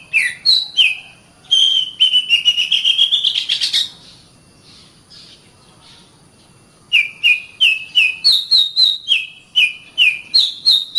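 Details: Oriental magpie-robin song for tutoring caged birds: varied whistles and a fast buzzy trill climbing in pitch, several seconds of silence, then a lively sequence of repeated clear notes switching between high and lower pitches.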